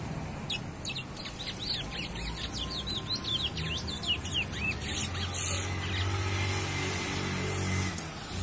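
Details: A young chestnut-bellied seed finch sings a fast run of sweeping, slurred whistles for several seconds, then falls quiet while a low droning hum of background noise continues.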